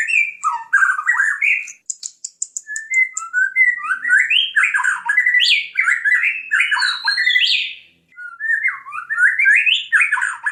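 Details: Jambi white-rumped shama in full song, rich varied phrases of rising and falling whistles and warbles, with bursts of rapid high ticking notes early on and short pauses between phrases, recorded close with a quiet background.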